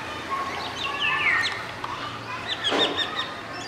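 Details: Golden orioles at Masab Tank, Hyderabad, recorded from a window, an adult male singing with a juvenile and two females present: liquid, fluty whistled phrases slurring downward, a short harsher burst near the end, other faint bird calls behind.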